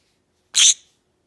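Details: Pet green-cheeked conure, a male parrot indoors, vocalizing while his owner touches his foot; a single harsh, hissy burst of about a quarter second, strongest high up, in an otherwise quiet room.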